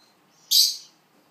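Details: A single harsh, breathy hiss, about a third of a second long, from a juvenile barn owl during feeding, high and noisy with no clear pitch, over a quiet background.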